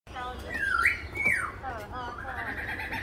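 A lyrebird runs through borrowed calls: a swooping whistle that dips and rises, a sharp downslurred note, then rich layered warbling chatter, all within three seconds.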